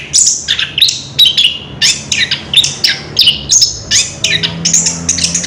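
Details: Recorded 3 March 2016, an Orange-headed thrush sings continuously in ngerol style, with quick, sliding whistled notes and chirps repeated in a steady rhythm, some dropping sharply in pitch, over a quiet hum.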